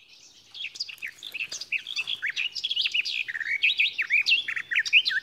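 A Garden Warbler sings a long, even warble: rapid, mellow chattering phrases running on without pause, pitched fairly high, with no other sounds.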